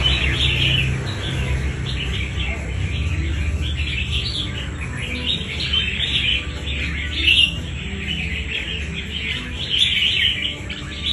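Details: Red-whiskered bulbul, a wild-caught bird in a fighting competition, delivering a steady stream of lively chirpy warbles, short phrases running together over a constant low hum.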